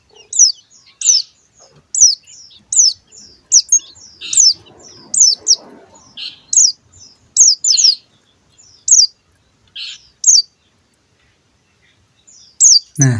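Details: Young captive-bred bar-winged prinia, 25 days old, doing its riwik call for the first time: high thin descending chips, repeated in loose bursts roughly every second over quiet background, a sharp knock at the end.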